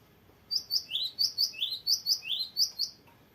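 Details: Cinereous tit giving the long rolling song prized for tutoring birds: a clean series of alternating high and lower slurred whistles, repeated rhythmically for over two seconds against a quiet background.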